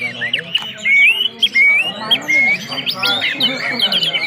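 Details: Whistled orange-headed thrush song of the ngeplong type, intended to get a bird singing. Clear drawn-out rising whistles alternate with quick chattering notes and brief squawks, several phrases repeated in close succession.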